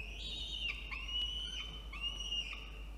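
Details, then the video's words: Nestling peregrine falcon complaining as its box on a water tower in Orange, NSW, Australia is cleaned, 17 November 2021, 4:06 PM. Continuous piercing whining wails, each slurred note rising then dipping, about three in three seconds. "Yurruga doesn't like the house being cleaned"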